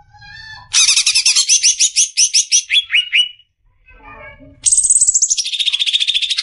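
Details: Greater green leafbird sung as a training model for caged birds: a long series of rapid upslurred buzzy notes ending in descending whistles, a pause, then a high descending trill.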